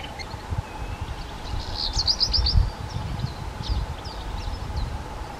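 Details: Black redstart (Phoenicurus ochruros) singing: a burst of high, thin notes with a quick scratchy rattle, followed by scattered short chirps, over a steady low hum and background rumble.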